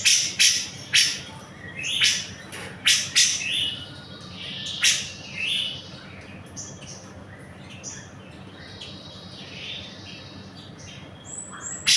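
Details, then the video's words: Actively singing grey-cheeked bulbul, a tutor recording for cage birds: scattered sharp chirps and harsh notes early, followed by thinner, high whistled phrases and softer chatter with irregular spacing. "CUCAK JENGGOT GACOR"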